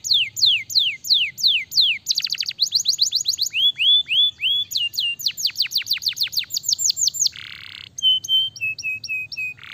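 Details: Canary in full varied song: series of swooping downward whistles, fast rolling trills, a harsh buzzy burst, then steady repeated piping notes, all continuous over nearly ten seconds against a faint low hum.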